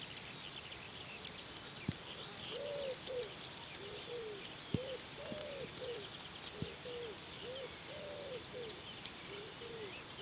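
A wood pigeon gives a rhythmic run of soft, husky, low coos in short repeated phrases, with thin chirps of small birds high in the background.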